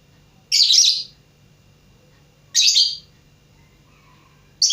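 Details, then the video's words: Pet lovebird learning to sing, giving loud, shrill, harsh chirps about two seconds apart, each a short noisy burst, with a faint low hum in the background. "Burung lovebird belajar berkicau"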